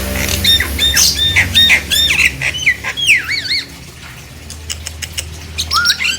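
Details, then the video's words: Nias hill myna song used to provoke silent mynas into singing: loud whistled notes, sharp falling squawks and wavering rising-falling phrases, fading to quieter calls near the end with low hum underneath. "Pancingan jalak nias agar jalak yang diam langsung esmosi dan ikut bunyi"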